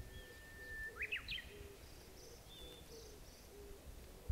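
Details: Japanese bush warbler singing in spring, 26 April 2016: a long steady whistled note, then a quick rising and falling flourish of sharper notes. Faint low pulsing notes from another caller repeat in the background.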